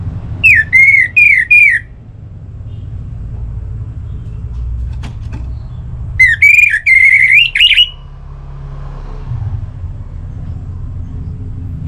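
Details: Orange-headed thrush singing as a lure for other thrushes. Three short rising whistles come in quick succession, then a long quiet gap with faint background noise, then a brisk run of stuttered whistled notes.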